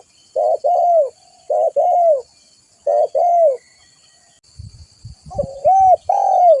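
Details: Spotted dove coos for a luring and tutoring recording. Three regular low phrases, each a short double note and then a falling coo, then a pause with soft knocking, then a louder final phrase.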